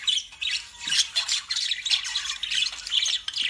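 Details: Continuous shrill chatter from a group of lovebirds, the high scratchy squawks overlapping without pause and swelling in short loud pulses.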